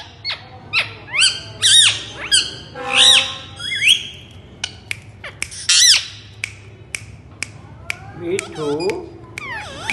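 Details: Pet Indian ringneck parakeet making a jumble of harsh squawks, sharp clicks and chattering notes, with a burst of wavering, voice-like sounds near the end. Recorded indoors with a faint low hum.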